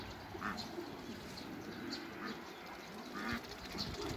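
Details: Hybrid Cayuga duck and female Muscovy duck meeting each other on a farm; short nasal quacks around the half-second mark and again after three seconds, over a steady low murmuring of soft calls and faint outdoor background noise.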